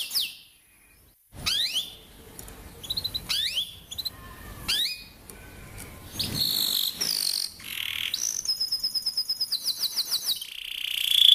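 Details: Canary singing a rolling song used as a lure for young canaries learning to sing: brief silence, then steep descending sweeps, rising whistled slurs, and finally rapid pulsed trills that grow louder toward the end.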